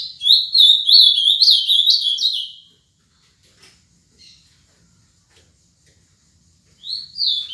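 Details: Ultramarine grosbeak, seven years old, singing the Paraná song: a loud warbled phrase of fast rising and falling whistled notes for over two seconds, a long quiet gap with faint ticks, then a further phrase starts.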